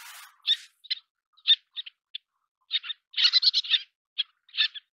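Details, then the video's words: Little tern, Sternula albifrons, feeding young: crisp, high, sharp single calls spaced by pauses, then a rapid cluster of harsh chattering notes, and a brief rustle at the start. "小燕鷗-育雛/Little Tern-Feeding Chicks"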